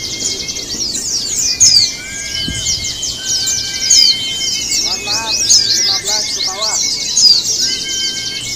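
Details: Simulated contest of Javan white-eyes: shrill, rapid twittering crowds the whole stretch, lower whistles drift underneath, and brief voices break in near the middle.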